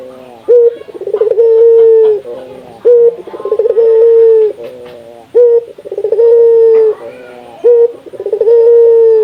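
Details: Indonesian local puter dove repeating its call about every two and a half seconds, played to get other doves calling. Each phrase has a short sharp note, a rapid rolling stutter, then a drawn-out level coo. Faint clicks are in the background.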